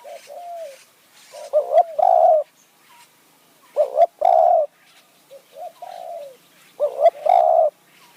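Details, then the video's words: Spotted dove calls used to lure wild doves in Kanchanaburi high forest, Thailand: quieter falling coos alternate with three loud phrases of a doubled hoot and a long low coo, suggesting a back-and-forth exchange in khu-ang and nun-ang style. "ต่อนกเขาใหญ่ป่าสูง เมืองกาญ | คูอ่าง หนุนอ่าง คารมเรียกคําคูคํา"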